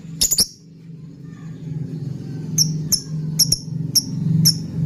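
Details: Lovebird sound used as a lure and tutor for other birds: a quick pair of shrill chirps at the start, then sharp high clicky chirps about every half second over a low steady hum.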